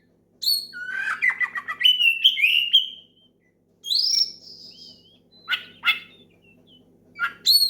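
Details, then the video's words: Oriental magpie-robin singing loudly as a lure for rival birds; sweet whistled phrases sliding up and down, a bright rising whistle, then sharp clipped notes, with a near-silent pause midway and faint hum. "SUARA KACER MEMANGGIL LAWAN NGEPLONG KERAS BIKIN KACER LAIN IKUT GACOR"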